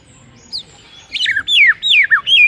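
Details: Morning song of a white-rumped shama, used to provoke a rival shama: a short burst of loud, high whistles, each sliding sharply downward.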